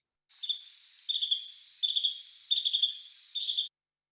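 A female Carolina Wren gives five quick bursts of sharp, high ticking dit notes, one burst about every three-quarters of a second, calling her mate's attention.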